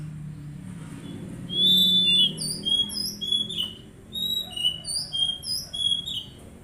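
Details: Whistled song of an Oriental magpie-robin, played as therapy for untrained birds: one long, loud, bright whistle, then a string of short, even, piping notes repeated at a quick pace.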